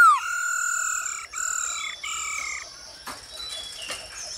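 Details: Singing male Black-throated Laughingthrush, urged on by female calls and used to train cage birds: long, rich, steady whistled notes, each over a second, falling slightly at the end, followed by softer scattered chirps.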